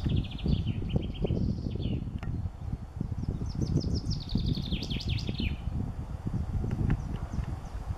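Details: A common chaffinch sings outdoors. It gives a trilled phrase, then a bright descending series of notes that speeds up into a final flourish. Steady low rumbling noise runs underneath.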